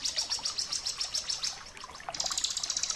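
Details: Ciblek kristal, the bar-winged prinia, singing in a tutor recording for caged birds. Rapid, evenly pulsed high notes form a bright chattering trill, pause briefly, then restart as a dense, very high buzzy series.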